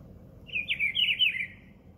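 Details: [5, 'Rufous-browed Peppershrike song: one rich, warbled whistled phrase of several linked notes rising and falling, lasting about a second.']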